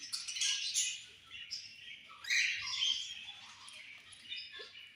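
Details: Pet budgerigars chirp during feeding in a lively, scratchy twittering chorus of high notes. Some louder phrases rise and fall, then the chorus eases toward the end.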